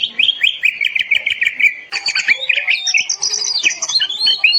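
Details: Oriental magpie-robin (kacer) masteran, a tutor song for training other birds to sing: a run of quick repeated high chirps for almost two seconds, then a dense, varied stream of whistled slurs and twittering notes.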